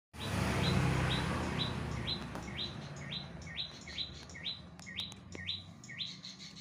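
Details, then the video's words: Bar-winged prinia singing actively, crisp upslurred notes repeated about four times a second in a steady series, over a loud low rumbling background. "Prenjak gacor dor"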